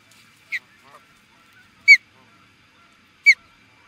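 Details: At Charlo, Montana, USA, an Osprey facing an intruder sounds three separate sharp, high whistled chirps, each clear and strong against a quiet background.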